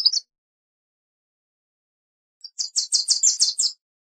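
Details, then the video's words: Wilson's warbler: a brief chip fragment, a pause of about two seconds, then a full chattering song of roughly eight rapid, high, clipped notes. "Wilson's Warbler Song! Wilson's Warbler Call! Sound!- Reinita De Wilson Canto - Cardellina Pusilla"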